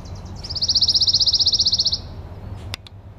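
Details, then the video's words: Pine Warbler sings a musical, even trill of about twenty quick, evenly spaced notes lasting under two seconds, over a low background rumble and a sharp click. "Pine Warbler sings"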